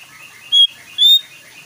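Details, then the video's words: Jongkangan bulbul singing, played to coax newly kept birds into song: a pair of pure whistles, the first brief and steady, the second slightly longer and gently rising, with faint chirps underneath. "PANCINGAN AMPUH UNTUK MENJADIKAN JONGKANGAN ANDA IKUTAN berbunyi dan gacor"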